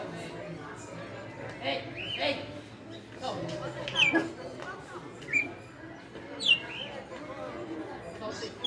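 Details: Captive red-cowled cardinal of five years, açoite-style song: bright descending whistled slurs at irregular intervals, interleaved with softer lower chatter and a steady low background hum.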